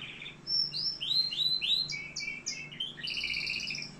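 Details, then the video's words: Algerian canary song: a run of clear rising and falling whistled slurs, then a quick series of short high notes, and finally a dense, rapid, buzzing trill in two pitch layers. "كناري صوة جميل"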